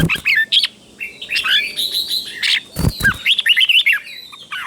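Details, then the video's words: Red-whiskered bulbul song used to train caged birds: busy, overlapping chirps and whistled warbles nearly without pause, broken by a couple of knocks. "เสียงนกกรงหัวจุก | สุดยอดนกครู เบิ้ลชัดๆ เบิ้ลเป็นคู่ๆ เสียงกระตุ้นนกรงหัวจุกเสียงนกครู chao mao"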